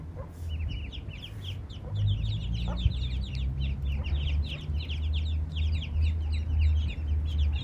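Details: Family of Eastern spot-billed ducks, mother and young, that wandered into a place without water nearby; many high, short, falling peeps tumble together continuously over a loud low hum.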